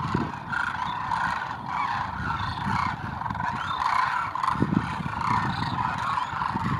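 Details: A huge migratory flock of Demoiselle cranes arriving at a water hole at Khichan, Rajasthan: steady massed trumpeting and honking from countless birds, unbroken throughout, over low rumbling and scattered thuds nearby.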